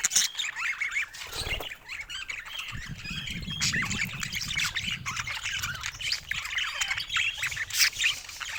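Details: Domestic budgerigars in constant chatter: high scratchy squawks and twittering whistles layered over each other, with a few low bumps and rustles in the background.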